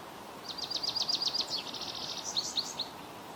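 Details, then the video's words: American goldfinch from Ontario delivering a fast, high series of sweet chirps and twittering notes lasting about two and a half seconds, ending in a few rising slurred calls, over a soft constant outdoor hiss. "Bird Chirping Sound - American Goldfinch"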